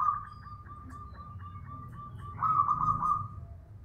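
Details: Local zebra dove of the bedah karang type giving its loud manggung cooing, said to carry several kilometres; a steady, level hooting tone with faint pulses swells louder near the end over a low background hum.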